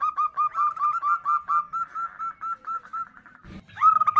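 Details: A female zebra dove calls to attract a male with a steady stream of short, slightly wavering notes, several per second, ending after a brief clatter with a louder burst.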